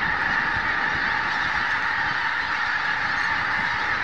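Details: A vast flock of geese at Snettisham before dawn, around 4 am, a steady dense roar of overlapping honks with no single caller standing out.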